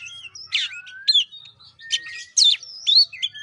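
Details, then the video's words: White-rumped shama singing, played as a lure for a bird reluctant to sing: short bright phrases of slurred whistles, buzzy notes and sharp chips, about two phrases each second. "Pancingan kacer males bunyi"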